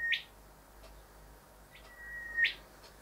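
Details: Two whistle-and-whip phrases about two seconds apart from a male Rufous Whistler visiting the house's windows to look at his reflection; each is a held thin whistle ending in a sharp upward crack.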